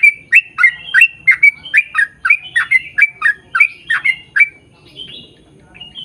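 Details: Sooty-headed bulbul singing a long rolling sequence of squeaky, liquid slurred notes at a brisk even pace for four seconds, followed by softer, thinner whistles; used to lure birds of its kind to answer.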